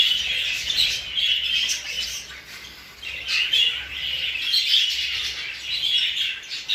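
English budgerigars chattering in a busy chorus of high, scratchy chirps and warbles that rise and fall in waves, with several birds calling at once.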